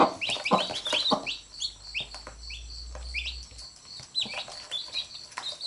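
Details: A mother hen and her chicks; the chicks bite the hen and she picks them up. Clear, shrill chick peeps slide downward, repeated about twice a second, with a few soft clucks and pecks at the start.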